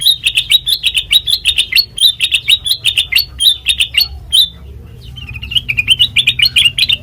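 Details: Melodious sooty-headed bulbul song for luring and training birds: a steady fast stream of crisp chirped notes for about four seconds, a short gap, then another chattering run of slurred chirps.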